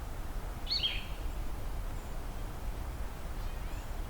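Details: A Blue-headed Vireo gives a single brief, slurred, catbird-like mew, high and slightly falling, on a hazy mid-afternoon beside a wetland at Beaver Meadows, Allegheny National Forest, over a low rumble of wind.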